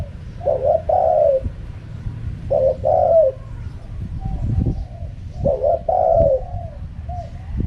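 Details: Three low, mellow phrases of spotted dove cooing in 'karam pa' wild style, each a short double note and a longer drawn-out coo, with a low rumble and occasional knocks in the background.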